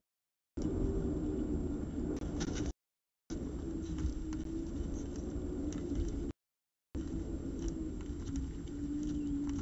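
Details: Low rumbling background noise with a faint hum, broken by two short stretches of silence; no animal calls are heard.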